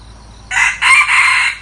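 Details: Newly acquired red junglefowl decoy bird, kept for luring wild junglefowl, crowing: a loud, harsh, broad crow in three joined segments lasting just over a second, after quiet background.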